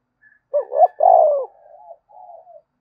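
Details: Single spotted dove phrase in the 'thúc bổi' style meant to make doves coo, a rapid rising two-note opening then a sustained falling coo, fading into quiet wavering notes.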